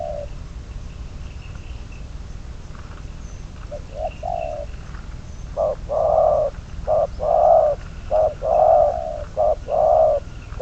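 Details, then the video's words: Decoy spotted dove for bird trapping, starting with soft scattered coos, then a sustained run of deep cooing, short notes alternating with longer ones about once a second, over persistent background hiss. "Bẫy cu gáy mồi"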